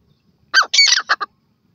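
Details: Partridge letting out a short burst of harsh squawks: one grating note, then a longer hoarse phrase, then two quick clipped notes, all within about three quarters of a second.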